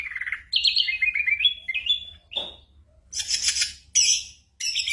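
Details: Ashy drongo imitating gunshots and birdsong in a tutor recording for white-rumped shamas during moult: clear whistled phrases stepping up and down, followed by three harsh noisy bursts.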